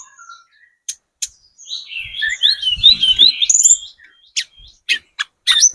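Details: Spotted-form Sunda robin singing, used as a lure: scattered sharp high clicks, then a warbling, wavering whistled phrase in the middle, followed by more isolated sharp notes.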